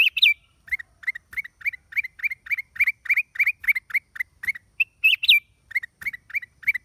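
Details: Black-crested bulbul on 29 December 2023 producing fast, evenly spaced chirps, roughly three or four each second, opened and interrupted by brief higher twisting whistled phrases.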